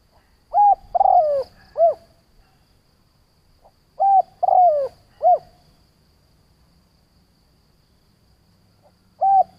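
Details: Decoy spotted dove calling to lure and provoke other doves: hoarse cooing phrases of three notes, a short coo, a longer falling drawn-out coo and a short final coo, repeated about every four seconds in quiet surroundings.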